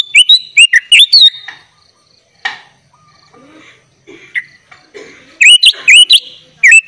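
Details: Sooty-headed bulbul in 'gacor full isian' style, used as a master song for tutoring young bulbuls: bursts of sharp, rapidly repeated whistled notes with looping upturns, then a quiet stretch of faint scattered chirps before the loud bursts resume.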